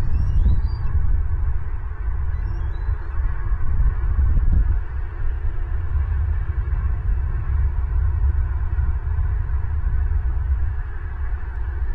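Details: Steady low rumble and hum, like wind or equipment noise, with no clear animal calls.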